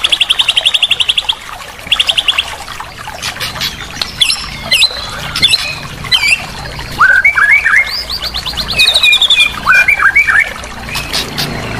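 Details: Training song of white-rumped shama, used as therapy for a silent bird: fast buzzy trills at the start, then scattered sharp notes, downslurred whistles and a further rapid trill, over steady background hiss.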